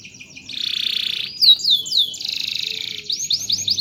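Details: Singing canary kept as a model for teaching song. A sustained buzzy trill gives way to loud slurred whistles, another long rapid trill, and closing rising chirps, with a faint hum at the end.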